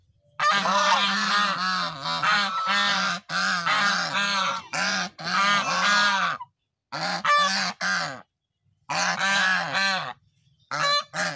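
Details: Several geese give loud, harsh nasal honks in quick overlapping bursts with brief pauses between runs; drinking geese mentioned. Goose.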